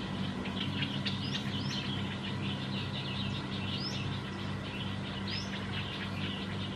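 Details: Black-headed bulbul, Khao Yoi, Phetchaburi, Thailand, December 2020: scattered chirps with several distinct rising whistled notes spaced a few seconds apart, over steady low humming background noise.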